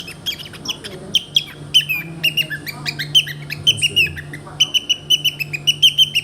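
A cockatiel gives a rapid run of sharp, high squeaks, several each second.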